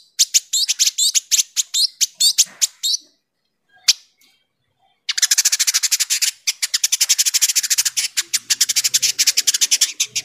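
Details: Sharp, tightly packed chattering of a village indigobird, prized for training magpie robins and kacer: a few seconds of rapid harsh notes, a pause, then a long unbroken buzzy rattle of very fast repeated notes.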